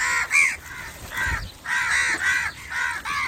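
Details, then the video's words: Crow calling other crows with a quick run of harsh, nasal caws, about seven in three seconds, each short and evenly spaced, over a steady faint background hiss. "Crow call to attract crows/Crow calling other crows"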